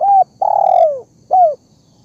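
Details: Single spotted dove phrase from a lure recording: a short clear coo, a long slightly wavering coo sliding down in pitch, then a brief closing coo.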